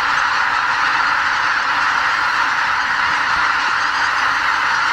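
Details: Greater white-fronted geese, tens of thousands strong, depart their night roost at Lake Miyajimanuma, Bibai, Hokkaido, before dawn in spring on the way north; steady, massed honking with no pauses.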